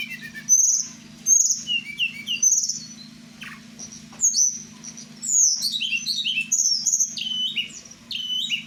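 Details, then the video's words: Blue flycatcher (tledekan Merapi) kept and sung at night: repeated high whistled phrases about every second, then a cascading run of bright falling notes and twitters, with a constant low hum. "Malam2 mainin burung ( tledekan Merapi"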